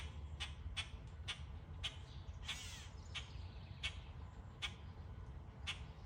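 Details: Summer birds chirping in trees, with brisk, clipped notes repeated at uneven intervals and one longer harsh squawk, all over a constant low background rumble.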